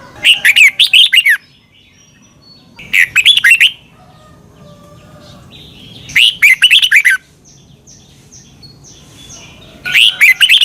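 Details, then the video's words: Caged Red-whiskered bulbul in Thailand, song played each morning so young birds learn it; four repeated phrases of fast, bubbling whistled notes about every three seconds, with faint distant bird chirps between them. "นกกรงหัวจุก. นก - 30 นาทีทุกเช้า เพื่อให้นกเรียนรู้ที่จะพูดได้อย่างรวดเร็วและหนักแน่น"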